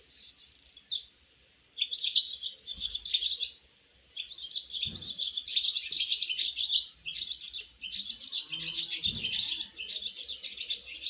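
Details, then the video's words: Young swallows on their first flight from the nest twitter in dense, high bursts of chirps and buzzy chatter, in long runs broken by short pauses, with a few low thumps. "Yavru kırlangıçların yuvadan ilk uçuş şarkıları 🥰 First flight songs of baby swallows"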